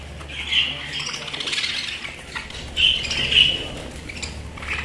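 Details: Pet budgerigars chattering in a soft warble of short scratchy notes, with brief louder chirps near the start and again around the third second; a low steady hum runs underneath.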